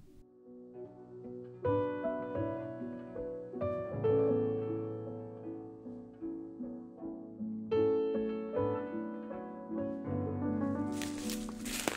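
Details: Gentle plucked piano or harp music plays throughout, with no animal sounds heard.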